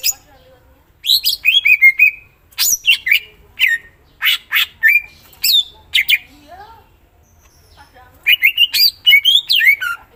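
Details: Greater green leafbird (cucak ijo) in full 'gacor' song with rich 'isian' phrases. Bursts of loud, sharp, shifting whistles and harsh chips come in three spells, with a short quiet gap and a faint low note between them.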